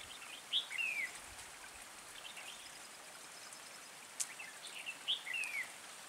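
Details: Red-whiskered bulbul heard during a trapping session that uses a decoy bird to lure rivals, 3 March 2020; two short warbled phrases about four seconds apart over a steady rain-like hiss, with a sharp click midway.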